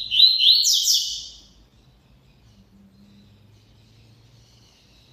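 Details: One quick, buzzy song phrase from a double-collared seedeater at the start, rapid high twittering notes building to a harsher peak, followed by several seconds of near silence with a soft low hum.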